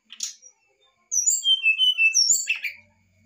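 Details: Excited song of a brown-chested jungle flycatcher: a brief high chirp, then a steady string of pure, high whistles that slide downward one after another, closing with a short scratchy burst.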